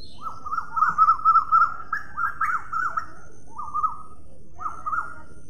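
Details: Sparrow calling in short, bright chirps. Quick clusters of three to five notes are followed by pauses, with the notes rising and dipping slightly. A faint, steady background hum sits under them.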